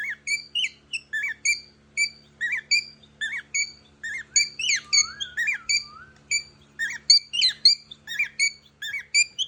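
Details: A cockatiel chatters in quick, bright, squeaky chirps, several each second, with a faint indoor hum.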